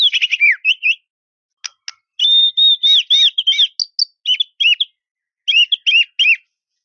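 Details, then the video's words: Rival-provoking song of a white-rumped shama: bursts of bright chirpy whistles and twittering notes, broken by brief pauses and a few sharp clicks. "KICAUAN SUARA MURAI INI MEMANGGIL LAWAN"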